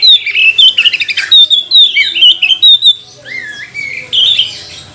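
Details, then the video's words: Provoking song of a magpie-robin, played to stir other birds into singing: fast series of sharp clipped whistled notes, then slower rising and falling fluty slurs fading out. "Kacer mana yang gak mau gacor, buka ekor, bongkar emosi dengan pancingan kacer ini"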